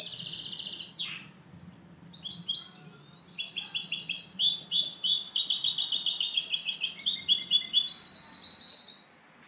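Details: Captive goldfinch hybrid used to educate young birds gives clean song: an opening high buzzy trill, a falling slur, a brief lull with soft notes, then sustained lively twittering with rattles and a final buzzy trill.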